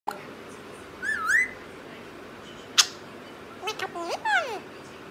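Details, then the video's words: Pet parrot, indoors, producing scattered whistled calls: a rising-falling whistle near one second, a sharp click-like note, then several quick sliding whistles with bright overtones toward the end; quiet room background. "methu full Punjabi talking very funny vedio"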